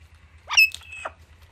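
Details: Alexandrine parakeet playing with palm tree fronds alongside Indian ringneck parrots. A sharp, rising then falling screech, followed by a rougher descending squawk, over a low steady hum.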